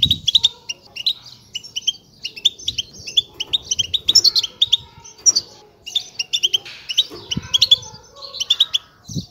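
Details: Begging calls of a European goldfinch chick: a continuous stream of high, sharp twittering chirps in uneven clusters, with occasional soft low knocks underneath.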